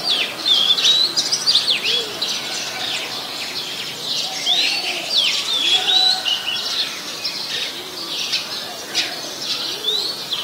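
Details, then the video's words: Oriental magpie-robin in Ubon Ratchathani, Thailand, 21 January 2021: busy high whistles and sweeping notes delivered rapidly over ten seconds, with fainter low tones beneath. "นกกางเขนบ้าน (Oriental Magpie Robin)"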